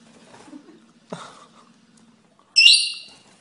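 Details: Rainbow lorikeet parrot giving a single loud, harsh, ringing call near the end, richly layered and fading over about half a second, after quiet rustling and a faint thump.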